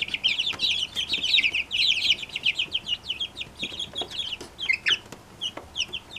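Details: Brahma chicks, all hatched from one hen, peeping together: a dense chorus of high, short cheeping notes overlapping continuously, with occasional clicks or knocks.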